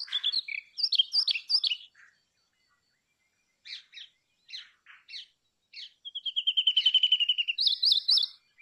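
Brown rock chat giving a run of varied, sweet warbled phrases, then short chirps and a fast rattling trill of rapid notes, all high-pitched.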